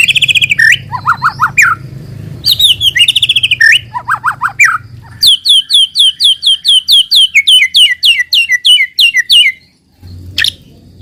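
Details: White-rumped shama song used as a lure to make untrained shamas start singing quickly: rapid runs of downslurred whistled notes and short trills, then a long steady series of sharp, evenly repeated high notes, with a low background hum early on.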